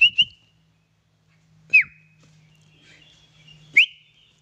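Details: A house-kept Sooty-headed Bulbul gives clear whistled notes: a quick double whistle, then a downslurred note and a rising note about two seconds apart, over a faint low hum.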